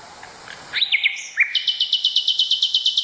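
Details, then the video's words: Nightingale tutor song for canaries: a pair of looping whistles and a higher note, then a rapid, regular run of sharp high notes pulsing several times a second over background hiss. "لغة عندليب الواحة لتلقين الكناري والطيور المغردة #٣ - Nightingale singing to teach Canary #3"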